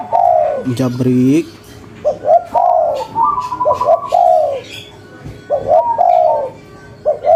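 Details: Lively local spotted dove giving cetrekan calls, meant to get other doves answering within five seconds: a rough opening note, then paired short notes each followed by a long, gently falling coo, several phrases in seven seconds.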